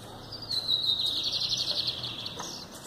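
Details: Lined seedeater held in the hand, singing a continuous buzzy, slightly warbling phrase at a high pitch that wavers and rises briefly near the end, over low background hum.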